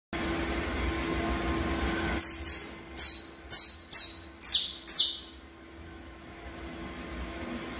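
A Saffron finch gives six sharp, high notes, each sliding downward, about two per second, over a steady thin electrical whine.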